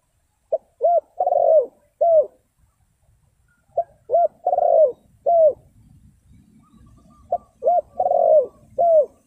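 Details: Spotted dove call used to lure wild birds: three loud phrases about three seconds apart, each a short clipped note, a bowed coo, a long rolling purr, then a final downward coo, in near silence.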